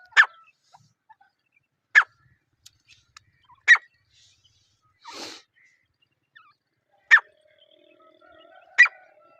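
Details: Single harsh, clipped calls of a wild partridge (teetar) in jungle, repeated roughly every one and a half to two seconds, with a soft breathy noise in the middle and light background chirps.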